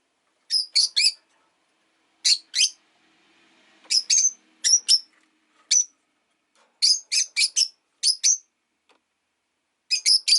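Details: Five pet rosy-faced lovebirds caged beside a window produce clusters of two to four sharp, high chirps repeated irregularly over ten seconds, with a faint low hum between calls.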